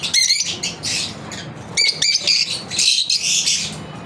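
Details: Lovebirds chirping during their daily routine: loud, sharp high chirps and squeaky shrieks in quick irregular bursts, with a low background rumble.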